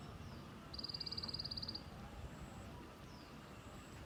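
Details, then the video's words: A single high, fast, evenly ticking rattle lasting about a second from a white-eye, the local 'tành tạch' style, against a low steady rumble of traffic. "Tiếng chim sâu lác ( tành tạch )"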